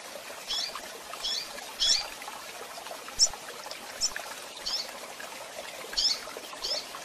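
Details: Rusty-collared seedeater female chirps used for handling and training, with tui tui zel zel song elements: short high chirps and twittered notes repeated about every half second to second over steady background hiss.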